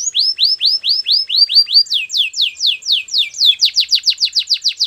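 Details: Canary training song made of repeated rising whistled sweeps, then faster falling sweeps and a quick descending series, delivered continuously at several notes per second without other sounds.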